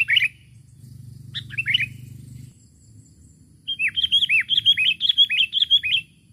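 A Sooty-headed Bulbul gives two short bubbly phrases, then a quick run of about eight slurred, whistled notes, bright and mid-pitched, calling to a rival.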